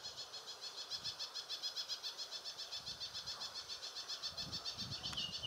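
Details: An Ashy prinia at Valley School on 9 September 2019 gives a steady run of high, thin notes, about three or four a second, over faint background rumble.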